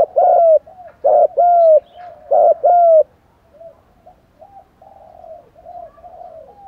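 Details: Spotted doves, male and female, call in urging, cooing and calling styles to stir up wild birds. Three loud pairs of mellow coos, each a short note and a longer falling one, are followed by several seconds of soft, low murmured cooing.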